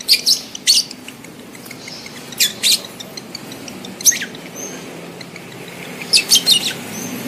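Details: Lovebird mating call meant to stimulate adult birds to pair: brief shrill screeches in doubled bursts every couple of seconds. A quick triple shriek comes at the close over a faint hiss.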